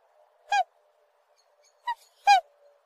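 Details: Black swan calls: brief nasal trumpeting toots, one, then a fainter short note and a louder final toot, over a faint steady tone in an otherwise quiet setting.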